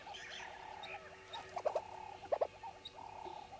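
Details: At Djuma early morning, 05:34, 10/02/19, red-billed hornbills give phrases of rapid low clucks, broken by sharp double knocks, with faint higher chirps from other birds.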